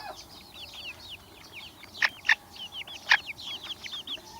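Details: Chorus of chicks with soft, repeated, down-curving peeps over a quiet background, broken by a few louder, sharper chirps around the middle.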